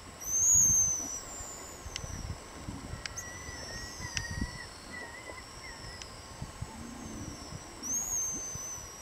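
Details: Pigeon guillemots give high thin whistles from an unattended camera, loud near the start and again at the end, with fainter short whistles and clicks between. Elephant seal breathing and distant sea lion roars sit low underneath.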